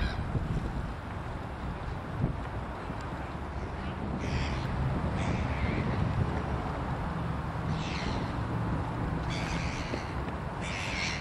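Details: Crows in the Belvedere garden, Vienna, in autumn, give several harsh, rasping caws spaced a second or two apart, over a steady low rumble of traffic and wind.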